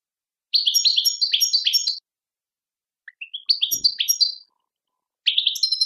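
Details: European goldfinch singing bursts of high, liquid twittering notes, repeated in quick tinkling runs separated by short silences.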